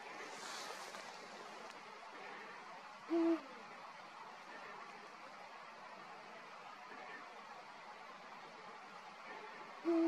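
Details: Male Eurasian eagle-owl singing: two deep, short hoots spaced about seven seconds apart, each with a slight downward tail, over a soft, steady background hiss.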